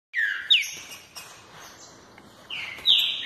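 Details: Green-winged saltator singing in the fibra style: two loud whistled phrases, each a short slurred note falling from high to mid pitch with a brighter rising-falling flourish, separated by a quieter pause with faint background hiss.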